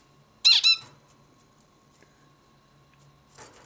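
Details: A single zebra finch utters a brief nasal, buzzy two-part note near the start, then near silence indoors until a faint rasp at the end.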